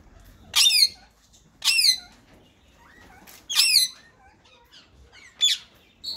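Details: Two ringneck parakeets, a white male and a green bird, in talking mode: four loud grating squawks spaced about a second apart, with a soft whistled glide between them.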